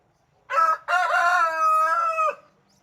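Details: A Brahma rooster crows once in the morning: a short opening note, a brief break, then a long, harmonic-rich drawn-out phrase ending in a falling tail.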